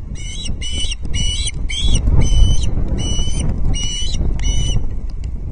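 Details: Osprey chick at Loch Arkaig on 19 August 2022, fed a second fish that day; rapid series of about nine shrill, clipped piping notes, roughly four per second, over constant low wind noise.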